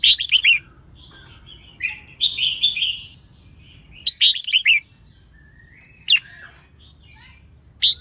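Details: Red-whiskered bulbul, a female, sings to provoke males into singing. Bursts of chirpy, warbled whistles come in rapid groups, broken by silent pauses of about a second, then a few lone sharp notes near the end.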